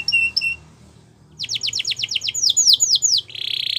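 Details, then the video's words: Canary song opening with two short high chirps, a brief pause, then a quick series of sweeping whistled notes rising into arched slurs and ending on a dense high trill. "The Most Beautiful Canary Singing"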